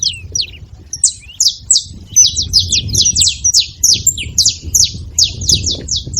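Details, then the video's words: At a feeding spot, saffron finch chirping busily: dense, quick series of high, short, downward-sweeping notes that grows thicker after the first second, with soft low background noise throughout. "Canário da terra fazendo barulho na seva"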